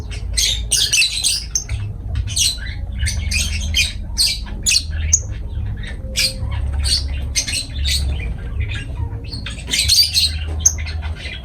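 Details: Lovebirds calling in dense, shrill bursts of harsh, high squawks and chirps, overlapping and nearly continuous for the whole stretch, over a steady low hum.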